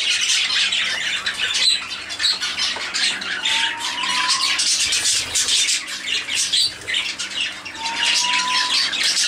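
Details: Zebra finches enjoying warm weather chatter constantly with harsh, nasal, buzzy calls, overlapping into a dense squawking din.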